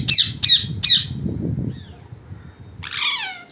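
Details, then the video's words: Wild parrots gathering at a home in the evening: three loud harsh squawks in quick succession, a quieter pause with low rumbling background noise, then a long raspy descending screech. "Wild parrots in our home(evening meeting)"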